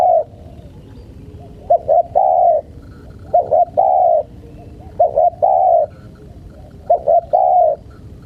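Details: Spotted dove calling to tease wild birds. Five repeated phrases of two clipped coos ending in a longer soft coo, about one and a half seconds apart, over light background hiss.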